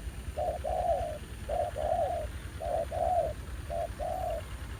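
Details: A fairly aggressive new wild spotted dove calls back to a ground decoy at a trapping site revisited after more than a year. Four evenly spaced paired coos, a short note then a longer warm one, over a low background rumble.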